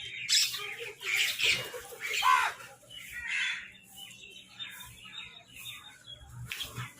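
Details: Harsh, rasping caws from crows squabbling while they eat. Several loud cries open the recording, then quieter scattered calls and chatter continue among low background rumble.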